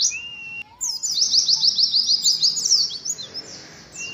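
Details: Caged Oriental white-eye singing in the competitive 'adu ngalas' style, meant for a colony session of hung cages: a thin high whistle, then a dense, rapid run of sharp, very high descending notes lasting about two seconds, ending in fading twitters.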